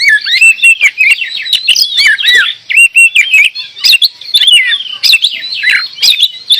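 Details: Oriental magpie-robin, or kacer, singing in full voice: a steady stream of varied whistled phrases, rising and falling slurs mixed with quick chips, nearly without pause.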